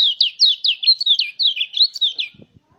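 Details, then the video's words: Mountain white-eye song to stimulate other white-eyes to sing: a continuous run of rapid, high, sweeping chirps and slurred whistles, about twenty notes in two seconds, ending with a faint low rustle. "pancingan suara pleci agar buka paruh"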